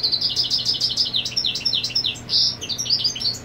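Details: European goldfinch holding territory while the female is on the nest: dense, hurried tinkling twitter of short rising and falling high notes, lively and without pause.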